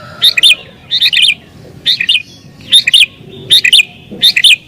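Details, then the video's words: Excited sooty-headed bulbul song for luring wild birds, pressing a rival: six quick, bright chirping bursts of paired notes, spaced under a second apart, clear over quiet background. "Burung Kutilang Gacor Isian Cocok Buat Pikat Burung Kutilang Liar"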